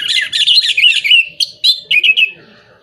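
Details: Orange-headed thrush song used as a lure for moulting or non-singing birds: a dense run of warbled, slurred whistles followed by short separate bright notes that fade out.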